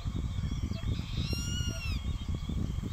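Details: Young Grey-faced Buzzard calling at a nearby adult that ignores it: a single arched, whistled call of under a second, rising then dropping, ringing with harmonics above heavy low wind noise.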